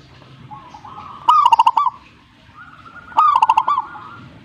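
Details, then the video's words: Zebra dove answering: two stuttering, bubbling coo phrases about two seconds apart, each preceded by a soft drawn-out tone. "suhu perkutut jika nyaut"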